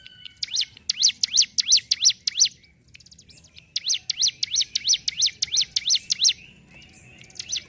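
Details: Two long bursts of ngentrok song from a hill prinia (ciblek gunung), each a steady run of bright, high chipping notes at about three per second, split by a quiet gap, with a single note at the end.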